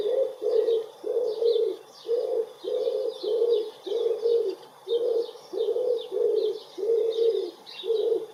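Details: Close-up of a common wood pigeon cooing in a garden in spring, 23 April 2019: a steady series of low, muffled coo notes, about a dozen in eight seconds, over faint high chirps from other birds.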